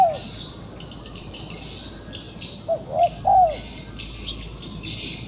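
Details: Trapped wild pigeon, still fighting back: one low drooping note opens, then after a gap three short rounded coos, the last longest and loudest, with high insect droning all around.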